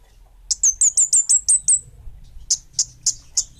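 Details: Orange-headed thrush, kemade bunga api variety, singing vigorously: seven fast, bright downslurred high whistles, then four separate sharp chips spaced about a third of a second apart, over a faint low hum.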